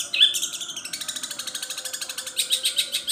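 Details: Long-tailed shrike pouring out imitations of gereja petir, kunti and tengkek buto, starting with a bright whistled note and then running into a steady, fast train of harsh buzzy chirps about ten per second.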